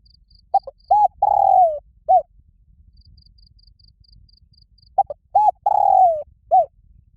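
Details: Two loud, resonant phrases from a spotted dove luring wild doves to fight, about four and a half seconds apart, each of short stuttered notes, an arched coo, a long downward coo and a final coo; faint high ticking between.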